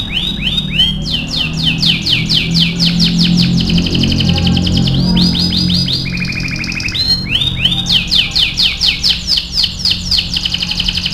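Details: Vigorous training song of an AF canary: long fast rolling trills of repeated upswept notes, pausing briefly before resuming, with low background sound beneath.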